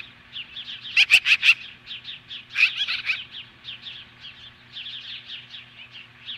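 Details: Osprey at its nest in Hellgate Canyon near Lolo, Montana, standing off magpies at 10:26 AM on July 15, 2015: rapid run of high whistled chirps, with a louder burst of four sharp piercing notes near the start and another shortly after.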